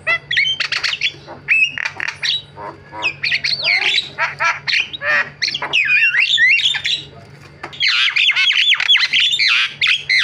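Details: Javan myna, or jalak kebo, singing a long variety song of harsh squawks, buzzy rasps and twisting whistled notes in quick succession, pausing briefly before a dense final burst.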